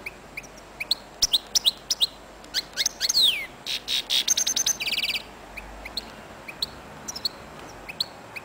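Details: A European goldfinch, described as a royal singing coupleur, sings a fast, tinkling medley of bright chirps, liquid twitters and a brief buzzy trill, high-pitched and continuous.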